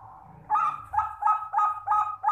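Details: Zebra dove cooing melodiously: after a soft lead-in, a steady run of six rounded, resonant coo notes, each roughly a third of a second apart, in a quiet setting.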